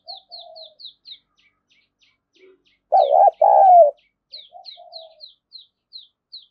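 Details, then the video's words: Spotted dove luring call: one loud two-part coo, a trembling note then a long falling one. Another bird gives thin, high, repeated chirps in rapid series before and after, along with soft low notes. "chim cu gáy thúc và gáy gọi kích bổi hiệu quả/ tiếng cu gáy"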